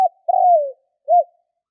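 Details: Spotted dove cooing: a brief note, then a long, throaty, slightly purring coo that slides downward, followed after a pause by a short arched coo. Mid-low pitched, with a quiet background.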